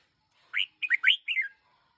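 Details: One-year-old red-whiskered bulbul, a decoy bird, gives one short warbling phrase of four clear, swooping notes, the last sliding downward, in otherwise quiet surroundings.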